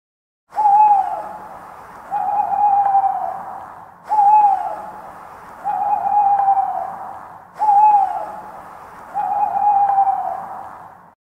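An owl hooting in paired notes, a short falling hoot then a longer steady one, repeated three times about every three and a half seconds.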